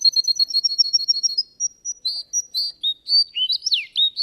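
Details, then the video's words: Russian canary competing in a song contest: a quick high trill gives way to spaced whistled notes and looping, swooping phrases, loud and clear. "Kontes burung Kenari Rusia"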